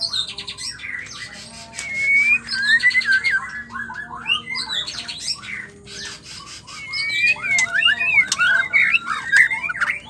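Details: Captive female white-rumped shama song played to stir males into singing; dense mix of rising and falling whistles, chattering buzzy notes and squawks, loud bursts near the start and again toward the end.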